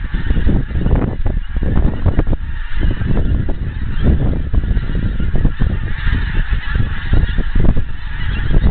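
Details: Wild geese in great numbers in Scotland, their calls drawing nearer from a distance. Countless honks overlap into a steady, busy clamor with no pauses, carried over heavy low-pitched rumbling.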